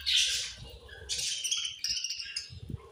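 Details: Budgerigars chirping angrily while eating: harsh, buzzy squawks and rapid chatter, one loud grating burst at the start followed by overlapping scratchy chirps, with soft low rustling underneath.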